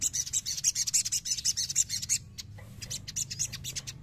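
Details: Untamed crimson sunbird goaded into singing. Quick, scratchy, very high chip notes pour out for two seconds, pause, then resume more softly.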